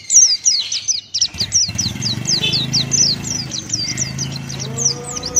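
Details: Pleci, a male Buxtoni white-eye, sings 'ngalas' open-beak song. Quick high, slurred chips repeat steadily over a loud low rumble resembling a passing engine, with a faint rising tone near the end.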